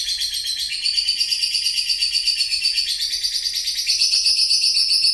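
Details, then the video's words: Lovebird singing the long 'ngekek' chattering style, played as a lure to build up other birds' spirit; an unbroken, rapid, high-pitched chattering trill for over five seconds, pulsing about three times a second and rising slightly toward the end. "Pancingan mental loberd ngekek"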